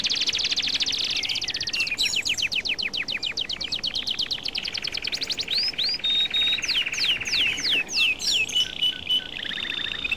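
A European goldfinch sings a fast, liquid, tinkling run of high twittering notes, mixing rapid trills with bright rising and falling whistles.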